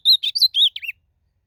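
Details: Ultramarine grosbeak (azulão) competing in song out in nature: a short burst of rich whistled notes, rising then twisting down, ending abruptly after under a second, with no other sounds.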